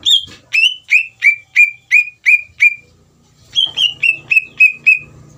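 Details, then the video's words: Greater green leafbird in full song, used as a lure to excite an untrained leafbird into answering: a run of about seven loud whistled notes, each sliding down from high to lower pitch, a short pause, then six more, with faint low rumble. "PANCINGAN CUCAK IJO GACOR UNTUK CUCAK IJO BAHAN BIAR EMOSI DAN LANGSUNG NYAUT"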